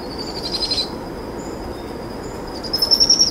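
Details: Powerful owl chicks, two young being fed by their mother at dusk on a brushtail possum, giving short high trilling bursts, one early and a longer one near the end, over a quiet background with a steady high insect-like tone.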